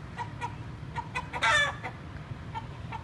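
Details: A desi hen from a farm, just caught, gives soft, evenly spaced clucks about every quarter second, broken by one brief, harsh squawk; a low background rumble runs throughout.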